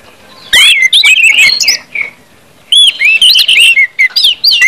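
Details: Orange-headed thrush delivering loud ngeplong song meant to stimulate other birds into singing. Two bursts of clear whistled phrases with looping, rising and falling notes and quick chips, split by a roughly one-second silence.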